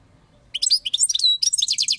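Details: European goldfinch singing: a quick burst of high, tinkling twitters and buzzy notes with one drawn-out whistle in the middle, lasting about a second and a half in a quiet setting.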